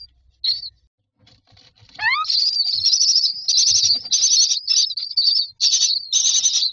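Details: Myna chicks in a nest box give a dense chorus of harsh, high, hissing begging calls in rapid bursts, asking for food, after a short rising whistle.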